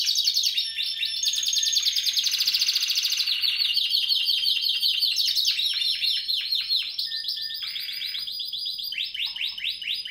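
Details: A 2017-bred Spanish Timbrado canary delivers a rapid, rolling song of metallic trills, changing tour every second or two, with high chattering phrases and a brief clear whistled note near the end.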